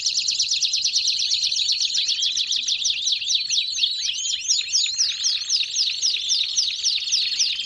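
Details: Belgian canary in song: quick rolling trills of repeated notes, roughly four per second, shifting into looping down-slurred whistles in the second half.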